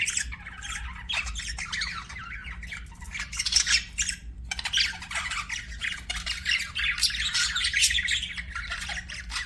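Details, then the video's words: Budgie chirping in bursts: scratchy chattering squawks and quick chirps, a brief lull near the middle, then lively warbling resumes, with a steady low hum in the background. "BUDGIE CHIRPING SOUNDS"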